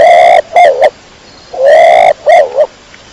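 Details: Kecor pigeon (burung dara) calling twice, about 1.5 seconds apart: a loud sustained harmonic note followed by two short notes, then quiet.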